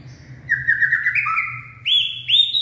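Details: Purebred white-rumped shama, filmed while singing and dancing in the late afternoon on 18 February 2024, gives steady mellow whistles that step up and down, then two sharp upslurred notes, against a faint low hum.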